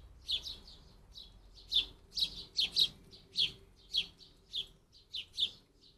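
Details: Lots of fledgling house sparrows begging to be fed at a garden feeding fence in the UK; busy sequence of sharp chirps, often doubled, roughly every half second, loudness rising and falling, quiet low hum underneath.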